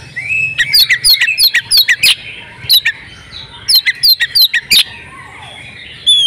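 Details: Breeding-condition female oriental magpie-robin giving calls used to make males sing. Two quick series of sharp descending chips, about three per second, separated by a quiet gap, ending in a clear high whistle.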